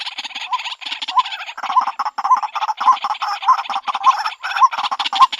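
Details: Female white-breasted waterhen calling for a mate: a dense jumble of harsh, buzzy croaks with short hooked notes running through them at a quick, uneven pace.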